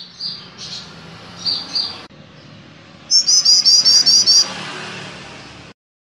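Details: Male golden-bellied gerygone: faint high notes, then a loud, brief burst of quick, very high repeated notes lasting just over a second, over a low steady background hum.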